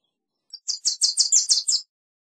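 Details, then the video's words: A Wilson's warbler sings a short burst of about eight quick, bright, high chips delivered evenly in under one and a half seconds, against silence. "Wilson's Warbler Song! Wilson's Warbler Call! Sound!- Reinita De Wilson Canto - Cardellina Pusilla"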